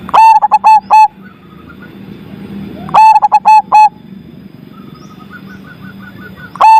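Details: Loud-voiced zebra dove repeating its cooing phrase three times, each a burst of four or five staccato level coos, with gaps between filled by soft twittering from another bird and low background rumble.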